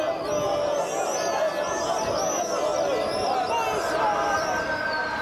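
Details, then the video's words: Several swifts pass overhead over the western wall, 12 May 2021, giving high, shrill screams in quick overlapping bursts, over a steady murmur of a chattering crowd. "swifts over the western wall"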